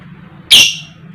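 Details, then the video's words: One harsh, buzzy squawk from a female fighter lovebird, the 'koek koek' call used to lure other lovebirds into singing, set against a steady low hum. "Pancingan Lovebird Betina Biar Cepat Gacor, Lb Koek Koek, Lovebird Chirping Sound"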